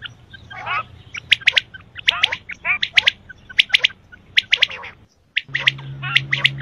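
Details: Quail calling in sharp, squeaky bursts, often in quick doublets and triplets, at an uneven pace with short pauses; a low steady hum runs underneath.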